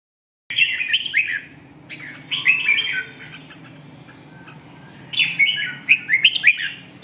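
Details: Red-whiskered bulbul singing: after a short silence, bright warbled phrases of quick rising and falling notes come in bursts, a pause near the middle, then a longer run of lively chirping notes toward the end.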